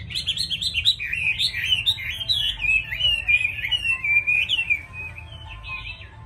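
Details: A captive Chinese hwamei pours out a loud, rich, unbroken song of quick rising and falling whistled phrases, with a low hum in the background.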